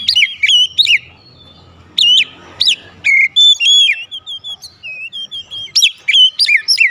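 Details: Lure song of an Oriental magpie-robin (kacer): emphatic whistled phrases with sharp upward strokes, broken by quiet gaps, then a string of shorter, clear high whistles.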